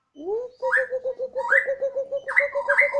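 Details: Captive Bornean White-rumped shama kept at home on a terrace, singing energetically in a siren-like style: a fast run of steady mid-pitched notes, about four per second, broken by loud rising whistled swoops.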